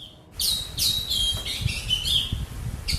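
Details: Indian robin singing in trees beside a garden, heard from a balcony in Ranchi, Jharkhand, India: a run of high, clear whistled phrases, some sliding and buzzy, delivered in quick succession over a low background rumble.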